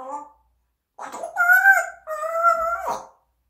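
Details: A pet parrot talking indoors: a brief opening note, then two long, steady, voice-like phrases with clear tonal bands, ending in a sharp downward drop.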